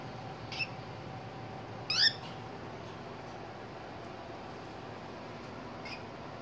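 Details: One of two cockatiels being petted with head rubs gives a few brief, bright chirps, one louder squeaky note among quieter ones.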